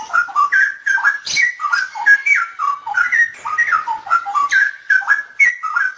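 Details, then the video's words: Straw-headed bulbul singing in a recording edited to remove disturbing noise: continuous rich, bubbling whistled warble of rising and falling liquid phrases, delivered without pause. "suara burung cucakrowo"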